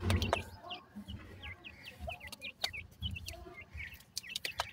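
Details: Francolin chicks, dakhni teetar, calling: rapid thin high peeps and short downward-slurred chirps, several birds overlapping throughout, with low thumps and handling knocks underneath.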